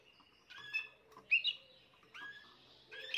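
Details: Young Spanish Timbrado canary of this year, recorded 14 June 2023: clear, strong rolling phrases that slide downward, repeated about every second and louder than the rest of the clip.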